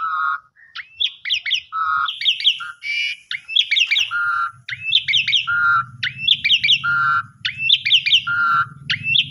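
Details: An Asian pied starling sings a busy medley of clear whistles, slurred rising notes and harsh chattering phrases, repeated steadily over a low hum, used as a lure to prompt sulking or stressed starlings to sing.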